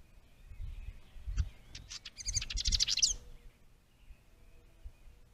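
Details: Trailcam at a bluebird nest box with a House Wren stick nest, May 2023: a fast, tumbling trill of high, buzzy notes rising into a dense bubbling run near three seconds, over low rustling and handling noise.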